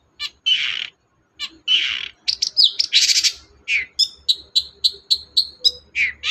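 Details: Caged long-tailed shrike in full energetic song, used to prompt a reluctant bird to sing: harsh rasping bursts, then a rapid run of sharp, high, downslurred chips repeated about four per second, with mimicry-like varied notes.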